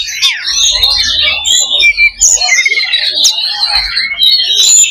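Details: Kacer, the Oriental magpie-robin, singing loba-style in a fighting simulation to raise fighting spirit. Busy, unbroken stream of high whistles, buzzy trills and sudden sharp accents, with a low hum in the background.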